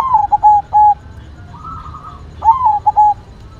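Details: Zebra dove of the white variety singing: a bright rolled coo, then two short stuttering notes and a longer held coo, a soft steady tone between, and the same phrase repeated once more.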